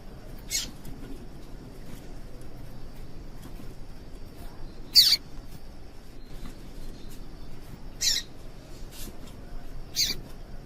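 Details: A female yellow-bellied seedeater gives short, high, sharp chip notes, one louder than the rest, spaced unevenly over several seconds. The call is meant to stimulate males to sing. Quiet hiss in the background.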